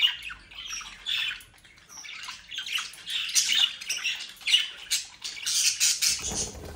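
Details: A group of mischievous bred budgerigars near Den Haag, Netherlands, makes scratchy chirps, whistles and squawks that rise to a busy peak. A rustling noise comes at the very end.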